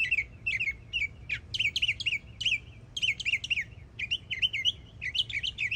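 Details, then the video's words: Young Northern mockingbird in Florida singing loud, bright phrases: clusters of rapid chirped, downslurred whistles repeated in quick bursts with brief pauses between groups. "Yearling Florida Mockingbird Goes Hard 🎶💯 Beautiful Songs"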